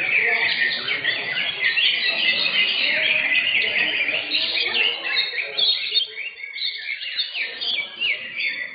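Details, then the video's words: Caged green leafbirds competing in an Indonesian bird singing contest, session 15. Dense overlapping chorus of rapid, varied chirps and whistled phrases, many birds singing at once, with faint background voices. "KELAS CUCAK HIJAU"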